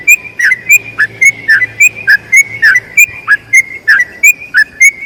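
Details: Yellow-vented bulbul in long 'ropel' song meant for tutoring other bulbuls: crisp high whistles each followed by a lower dropping note, repeated briskly and evenly, with a soft low murmur underneath.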